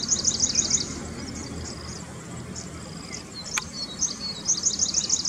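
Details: Grey-breasted prinia in roadside scrub giving rapid, high, thin chirping phrases at the start and end, with fainter high notes between over low background rumble.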